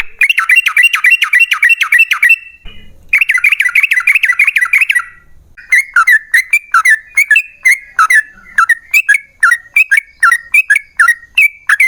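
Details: Yellow-vented bulbul in long rapid 'ropel' song, a lure to prompt other bulbuls to sing: two fast rattling runs of dipping chirps, then a looser series of separate sharp, slurred notes repeated about twice a second.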